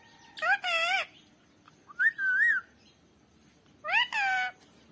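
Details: Green parrot kept as a pet making three harmonic, wavering whistled calls, each about half a second long, separated by quiet gaps.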